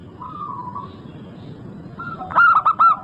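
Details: Local zebra dove singing actively: after soft, drawn-out background cooing from other doves, a loud burst of four quick, rolling cooed notes ends the passage.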